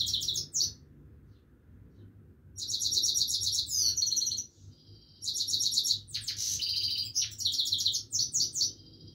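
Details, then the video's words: Himalayan goldfinch in continuous song, delivering long runs of sparkling, high tinkling trills and chattering notes, broken by a silent stretch near the start, with a steady low hum behind. "himaleyan goldfinch singing continuesly"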